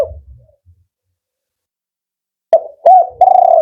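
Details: Male spotted dove in the 'Kuk 4' style: a faint fading note, quiet for two seconds, then a short clipped coo, a rounded one and a sustained low hollow coo.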